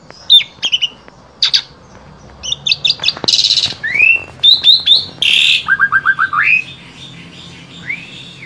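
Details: Asian pied starling, Central Java, used to tutor other starlings. The song is a rapid, busy medley of sharp chirps, harsh buzzy rasps, stuttered trills and rising whistles, fading into a single soft arched whistle at the end.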